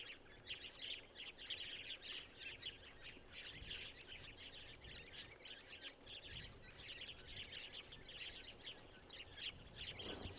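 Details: A flock of Masked Woodswallows at Gluepot Reserve, South Australia, on 15 October 2023, keeps up a steady, overlapping chatter of short, harsh chirps, with faint background hiss and a brief low rumble near the end.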